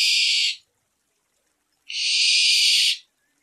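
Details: Two breathy, high hissing screeches from a barn owl at night: the first ends as it begins, the second lasts just over a second after a short silence.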